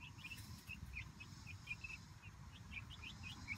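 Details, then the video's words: Month-old Light Brahma chicks at outdoor playtime in their new coop-run; rapid, overlapping high-pitched cheeps, several per second throughout, with a low broadband rumble underneath. "Light Brahma Chicks Enjoying Outdoor Playtime"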